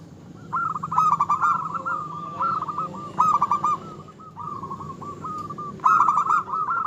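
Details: Vigorous local zebra dove song, used to provoke rivals and stir their breeding drive: three loud bursts of stuttering, cooing notes, each followed by softer rolling coos, with faint low background hum.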